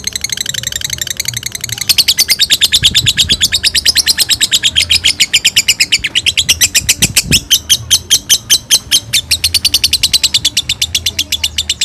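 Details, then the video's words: Bathed pet bird delivering a sustained ngekek song: an unbroken stream of rapid, loud, high-pitched chattering pulses lasting the whole twelve seconds, with a couple of low thumps in the middle. "di mandiin malah ngekek"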